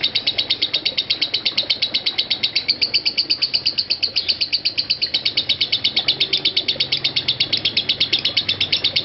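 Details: Caged lovebird performing ngekek, a nonstop trill said to last over five minutes: high, rapid, even chattering pulses, nearly three per second, continuous and unbroken throughout, with faint low background noise.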